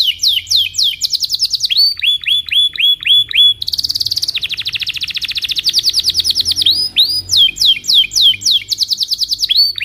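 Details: Belgian canary singing at morning as a teaching lure for young canaries; falling whistles, a series of hooked rising notes, a long rapid rolling trill, then more swept whistles in quick succession.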